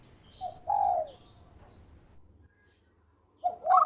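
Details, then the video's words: Local zebra dove in full voice, kept as a lure bird: a short coo followed by a longer falling coo, then a pause and a rising double note at the end. "Perkutut Lokal Gacor Suara Merdu Cocok Buat Pikat"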